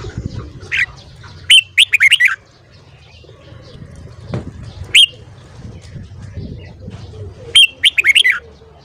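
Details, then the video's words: Morning song of a red-whiskered bulbul in the 'căng lửa' style. Three outbursts of rapid, loud warbled whistles are spaced several seconds apart, with one lone clear note between them. Soft background rumble. "Luyện giọng chào mào hót sáng .kích giọng chào mào hót hay"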